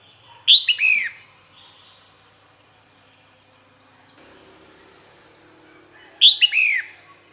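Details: Female red-whiskered bulbul calling males, two identical phrases about six seconds apart, each a sharp high note then two or three falling slurred whistles; quiet background hiss between.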